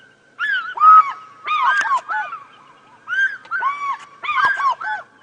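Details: African fish eagle calling close by, throwing its head back, near a water hole at Djuma Game Reserve on a morning drive, August 18, 2016: loud, ringing down-slurred yelps in four quick bursts of three or four.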